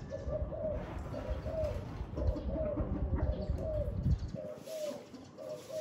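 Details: Spotted dove on a very windy day: mellow low coos in short two- and three-note phrases, repeated steadily over about six seconds, with heavy wind rumble throughout and a brief lull near the end.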